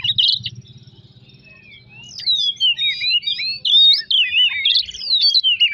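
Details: Oriental magpie-robin song used to provoke other birds into singing: a brief harsh note, a quiet low rumble, then a flowing line of clear whistles that sweep up and down.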